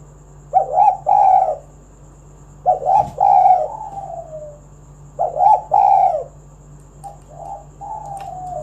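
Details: Spotted dove singing to encourage other doves to call; three evenly spaced phrases of two or three deep coos, the second trailing into a falling note, then softer short coos, over a low hum.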